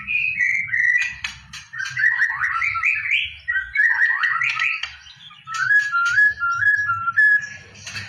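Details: White-rumped shama song for contest training; rich, varied whistled phrases sliding up and down in pitch, some stepwise descending notes, mixed with sharp clicks, low rumble in the background.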